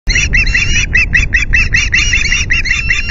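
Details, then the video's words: Ospreys at the Loch Garten nest, Scotland, 9 August at 09:00. The resident males screech intruder osprey BlueKL5 away from the nest with shrill, piercing, overlapping screeches, two or three a second, over steady low wind rumble. "Our indignant boys screech BlueKL5 away from nest ~ Osprey"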